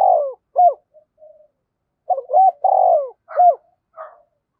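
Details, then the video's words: Decoy spotted dove in the 'giọng thổ' style, fast urging calls to provoke wild doves. Broken low coos: short hoots, a full three-part phrase with a long hoarse note, then more quick hoots. "chim cu gáy thúc và gáy gọi cực đỉnh, chim cu gay kich boi nhanh noi"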